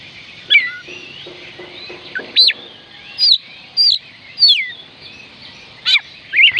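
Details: Oriental magpie-robin song, used to coax reluctant birds into singing: scattered loud whistled phrases, some rising and some slurred downward, separated by short pauses, over faint background hiss.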